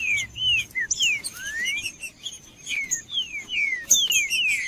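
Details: Song of a green-winged saltator played to warm up saltators into singing: a run of bright descending whistled notes, some rising, repeated rapidly over several seconds, with a faint high tone behind.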